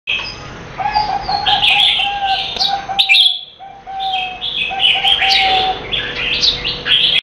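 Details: A captive zebra dove sings a Grade A merbok song of soft, rapid trilled coos, with bright chirping from other small birds over the top.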